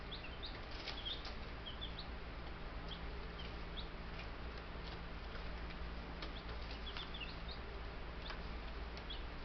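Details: Buff Brahma chicks, ten babies received by mail, in a homestead bird yard on May 6, 2019; repeated thin high peeps in small groups across the clip, light taps, and a steady low hum.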